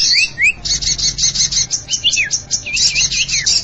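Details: Common iora lure recording: rapid bursts of very high chattering notes, broken by short upward-sweeping whistles and a few downslurred notes, repeated without pause.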